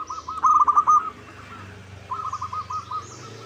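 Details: A local zebra dove used as a lure so rivals answer: a loud run of quick, slightly uneven coo notes, then a softer repeated series after a pause, over a low hum.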